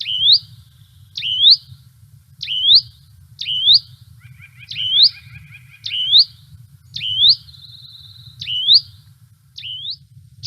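Hutton's Vireo gives a rising, whistled note repeated about once every second, with a brief buzzy rattle partway through over a low background hum.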